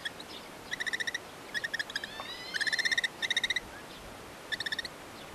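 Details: Red-footed falcons at a nest in a natural breeding colony near Hortobágy National Park, Polgár, Hungary, on 30 June 2023, as the mother feeds two chicks, give shrill, rapid chattering series of six to eight sharp notes in bursts, with a faint rising whistle between.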